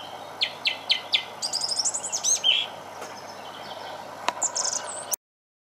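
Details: A thrush at the bottom of a garden sings loud, clear phrases: one short note repeated four times, then varied whistles and rapid trills, over a soft steady background hum.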